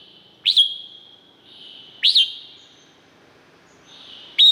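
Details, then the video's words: Red-whiskered bulbul song from Thailand as three separate loud, rising-then-falling whistled notes, roughly two seconds apart. "เสียงนกกรงหัวจุก สำหรับต่อ หรือ เปิดให้นกคึก เสียงเพราะๆ"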